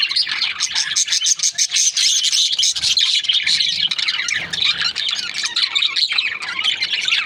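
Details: Breeding pairs of budgerigars chatter without pause: rapid high chirps and warbles pile on top of one another, with brief sharp squeals scattered through the busy din.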